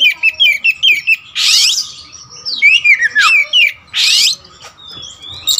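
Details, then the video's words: Kacer wulung, the black magpie-robin, opens with quick paired chip notes, then gives harsh rasping bursts and sliding whistled notes in a varied, jerky phrase. "Adu spek raja kacer materi segudang kacer wulung"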